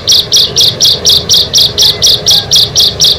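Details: Song of bar-winged prinias, six birds together: an evenly paced run of short, harsh, buzzy notes, about four per second, steady and rattle-like throughout.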